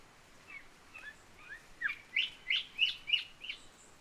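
Island Whistler song: a run of about a dozen bright, slurred whistled notes, rising and falling, growing louder and faster over four seconds, over faint background hiss.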